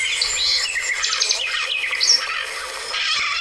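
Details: Speckle-faced Parrot (Pionus tumultuosus): a dense run of harsh, screechy chattering calls that overlap as if from several birds, with sharp squawks breaking through.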